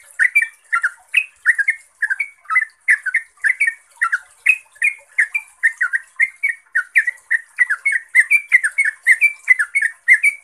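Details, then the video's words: Yellow-vented bulbul in fast, continuous ropel song used as a lure for other trucuk; strings of bubbly, slightly burry notes tumbling about three per second, with a faint hissing background. "ROPELAN TRUCUKAN GACOR ini bikin TRUCUK lain LANGSUNG NYAUT, GACOR dan ROPEL - pancingan trucuk"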